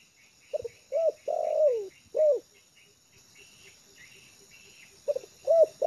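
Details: Spotted dove trained for luring, comfortable on the ground in a yard: a mellow phrase of short coos, a long falling coo and a final arched note, a pause with soft ticking and high chirps, then the phrase starts again.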